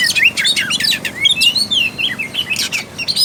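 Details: Oriental magpie-robin in rich, rapid song, used to spur a sluggish bird to sing: a fast chain of sweet, looping whistles and quick chirps sliding up and down, dense and unbroken throughout.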